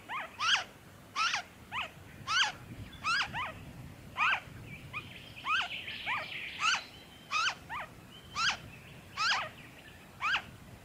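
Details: Noisy friarbird, Victoria, Australia, February 2023, delivering a long series of harsh, jerky double notes, about sixteen in eleven seconds, fairly evenly spaced, with faint other bird notes behind.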